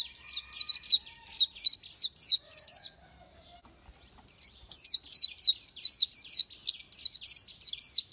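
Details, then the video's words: Rapid high-pitched whistled notes from an Oriental white-eye, each a thin wavering slur, pouring out about three per second, pausing for over a second, then continuing. "Chim hót hay Vành Khuyên họng vàng đông dương | นกแว่นตาขาวสีทอง| Oriental White-eye"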